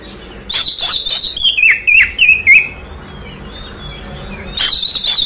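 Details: An Oriental magpie-robin that has just finished moulting sings a quick run of sharp, whistled notes, about three or four per second, slurring downward, then resumes after a short pause; used as a lure to prompt quick response.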